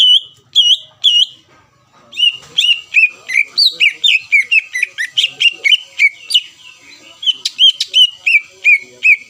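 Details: Greater green leafbird, a lure recording meant to provoke rival birds into answering, sings loud whistled notes around three kilohertz: three spaced opening phrases, then a fast run of sharply rising and falling slurred notes, roughly four per second.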